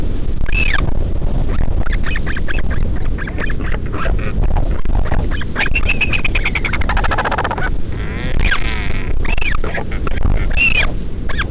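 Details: Midnight feeding of a northern royal albatross chick by a parent at the Taiaroa Head colony near Dunedin, New Zealand; dense run of clipped nasal calls, a wavering drawn-out cry midway, then looping upswept whines, with constant low rumble underneath.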